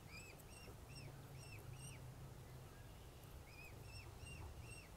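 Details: A Mute swan cygnet with its father in Plymouth, Massachusetts on 21 June 2020, calling for its mother and siblings out of range: high, arched peeping whistles, about three a second, in two short bursts over a steady low rumble.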